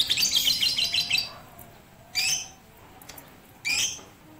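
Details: Lovebird, Batman type, rooftop training with a master recording on 18 April 2021; a dense burst of high, scratchy chattering for just over a second, then two short separate chirpy phrases spaced about a second and a half apart, quiet between.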